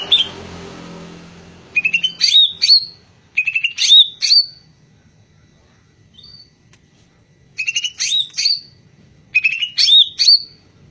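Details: High, sharp greater green leafbird phrases of quick chirps and whistles, delivered in bursts of about a second separated by short silences, with faint low rumble at the start.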